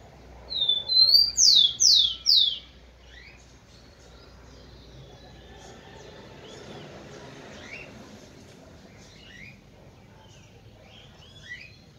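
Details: Rufous-collared sparrow singing to excite females: four loud, high whistles, each sweeping sharply downward, in a quick regular run, followed by a long stretch of faint, distant chirps.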